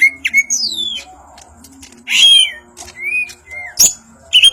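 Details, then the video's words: Singing greater green leafbird of Banyuwangi origin, ngentrok njambul style, giving long descending whistles, a loud rasping squawk, and smooth rising and falling whistled slurs between clicks. "Cucak Ijo Banyuwangi ngentrok njambul"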